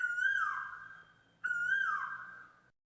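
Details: Asian koel (Eudynamys scolopaceus) song: two loud, mellow whistled notes about a second and a half apart, each swelling then sliding downward, over a faint low hum.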